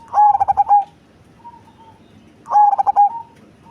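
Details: Zebra dove, cemani type, big body and deep voice; two pulsing coo phrases of five or six quick notes each, a faint soft tone between them, quiet background.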